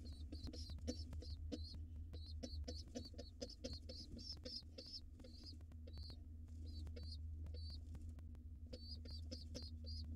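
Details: Wild pigeon nestlings begging while fed near dusk in a nest box: rapid repeated high squeaks in clusters, pausing briefly mid-clip before resuming, over heavy clicking, tapping and a persistent low hum.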